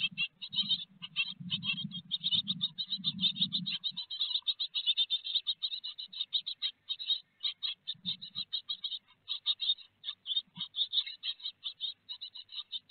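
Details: Great tits at their nest box in Théding, France, 4 May 2021, feeding on a large peanut: an unbroken stream of rapid high chirps, with heavy low scraping and rustling during the first four seconds.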